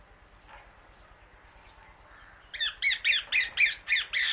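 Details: Female Indian ringneck parakeet outdoors eating grass among many birds; after a faint chip, a burst of six harsh, loud squawks comes in quick succession, about four per second, in the final two seconds.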